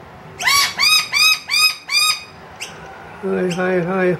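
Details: Wild noisy miner with two young, calling loudly for more food from an empty indoor feeder. Five strident, arched calls are repeated quickly, then a short pause, then a person speaks.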